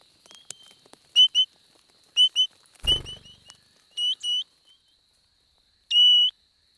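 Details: Spotted pardalote pair nesting in summer in the Capertee Valley, with crisp whistled two-note phrases repeated every second or so, one longer drawn-out note near the end, and a single thump.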